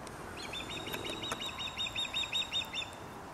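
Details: Osprey in Dartmouth, Nova Scotia, giving a fast series of about twelve thin, high chirps, evenly spaced and slightly rising and falling, over steady outdoor background noise.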